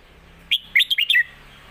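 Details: Master song of a competition Red-whiskered bulbul, kept to teach young birds: one brisk phrase of about five clear whistled notes, rising then dropping, over faint background hum.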